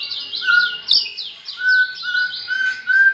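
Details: A white-rumped shama, kept near red-whiskered bulbuls, sings with a bulbul-like voice: steady low flat whistles repeated under a run of looping higher notes, with one sharp click.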